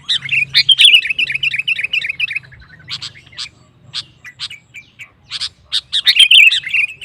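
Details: Sooty-headed bulbul singing hard to rouse competing males: a rolling warbled phrase series, a stretch of sparse sharp chirps, then renewed rapid bubbly whistling; faint low hum in the background.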